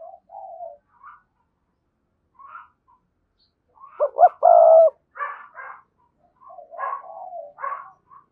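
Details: Spotted dove decoy bird with a strong, lively 'thúc' voice, cooing in short phrases: soft low coos, then a loud burst of rough, throaty coos near five seconds, followed by more broken cooing notes.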